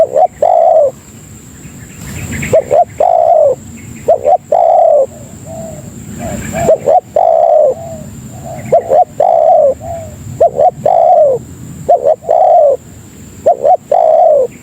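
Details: Repeated lure coos of a spotted dove (tekukur) used for calling other doves: short doubled notes and longer mellow coos in a continuous series, with two brief loud knocks or rustles partway through.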